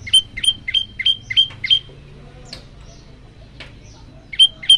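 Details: Olive-backed tailorbird song meant to spur other birds to call: five loud, piercing notes at an even pace, a few faint chips in a quiet stretch, then two more of the same notes.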